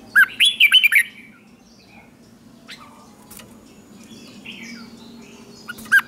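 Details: Red-whiskered bulbul in morning training for contest singing, giving one short burst of lively whistled notes that rise and dip, then near silence with faint distant chirps, and a single loud note at the end.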